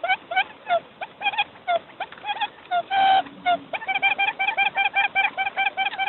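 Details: Quail decoy calling: dense, overlapping bursts of short harmonic notes, with one louder drawn-out note in the middle. Then quick even runs of clipped, ringing calls, with a faint low murmur beneath.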